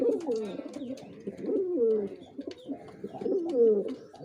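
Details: Male pigeon performing: throaty coos each sliding downward, repeated roughly every one and a half seconds, with scattered faint chirps and clicks from other birds.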